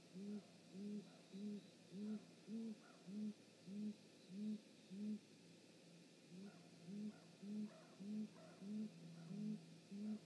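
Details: Pair of great grey owls, both parents, at their nest on 19 March 2018, evening at 19:32, filmed by a live camera; low rising hoots in a long steady series, nearly two per second, with a faint hum behind.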